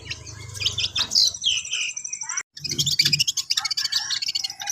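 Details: Caged long-tailed shrike, known locally as cendet, giving a dense mix of scratchy chatter, buzzy trills and short slurred whistles, broken by a brief silence, with low thumping noises underneath.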